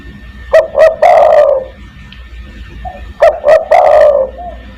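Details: Spotted dove lure call for attracting other doves, 'kuk 1' style: two clear phrases about two seconds apart, each two short coos then a long, full, falling coo, with a brief soft coo between them.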